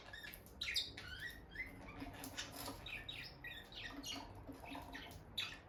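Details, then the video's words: A bonded couple of peach-faced lovebirds near the nest box, the female often entering it; quick falling and rising chirps come in fast strings, squeaky and bright, over soft room hum and light scratching. "Parrot Chirping Sounds – Relaxing Lovebird Couple Vocalizations"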